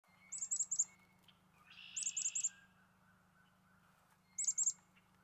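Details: A few black-capped chickadees eating sunflower seeds at a balcony feeder; three quick bursts of high, thin, sharp notes about two seconds apart, one followed by a lower buzzy note, over a steady low hum.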